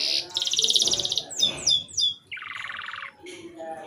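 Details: Short canary song burst used to spur young birds to sing: a dense buzzy trill, a few sharp descending whistles, then a lower rolling trill, with soft background chatter.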